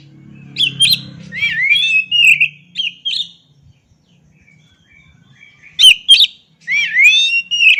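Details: Oriental magpie-robin song in two bouts separated by a quiet gap: clipped whistles, sharp chips and looping, swooping slurs, loud and clear against near-silence.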